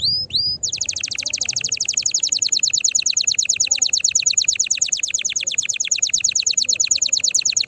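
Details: Strongly singing canary meant to set off others: two quick rising notes, then a long, rapid and evenly paced rattling trill of about three notes per second that holds steady throughout.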